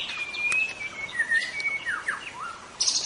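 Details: White-rumped shama singing vigorously, with long clear whistled notes that slide slowly downward, then shorter falling slurs and a quick buzzy trill at the end.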